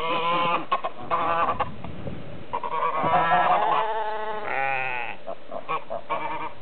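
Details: Domestic geese honk in harsh, nasal, overlapping bursts, several a second, clamouring for their feed alongside sheep, with a drawn-out sheep bleat, on a croft on 20 March 2008, the first day of spring, around 8:30 am.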